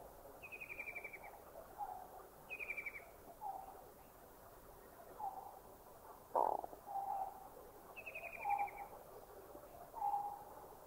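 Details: White-throated kingfisher in Thailand: three high, stuttering, descending trills, each about half a second long and spaced irregularly. Softer, lower whistled notes from other birds repeat throughout, and a sharp knock sounds near the middle.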